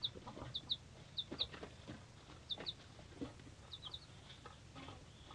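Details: Baby chicks, three days old, from a hatchery batch of mixed breeds: high, brief peeps often in close pairs, sharp and bright, spaced unevenly over quiet rustling.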